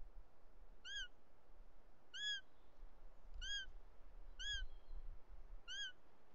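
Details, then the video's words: Bonelli's eagle in the Ports, Catalonia, in July 2023, at a nest where the male delivers a snake to the young and a strange female appears; five arched, ringing calls come about every 1.2 seconds over faint background rumble. "Àguila marcenca dels Ports"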